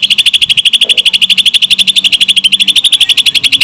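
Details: A Greater green leafbird imitating lovebird song as a relentless rapid chatter of sharp high pulses, evenly spaced and unchanging, over a quiet low background drone.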